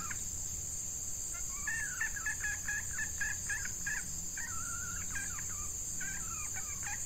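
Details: Decoy hen red junglefowl luring wild males in hot breeding weather, uttering a fast chattering string of clucks, about four per second, followed by a drawn wavering note and more clucks, with a persistent insect whine behind.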